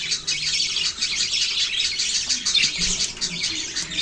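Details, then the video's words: A flock of budgerigars produces a thick, unbroken blanket of high squeaky twittering and warbles. "Beautiful Birds chirping sound"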